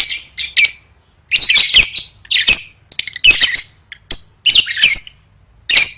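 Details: Lovebird for singing-competition practice, bursts of harsh, buzzy chatter and shrill squawks separated by short silences, repeated about every half second to a second.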